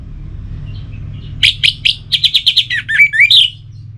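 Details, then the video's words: Orange-headed thrush giving a relaxed song: after a quiet start, a fast run of about ten sharp, bright chirping notes, then slurred whistled phrases that dip and rise, over a low steady hum. "Anis Merah Bunyi Santai"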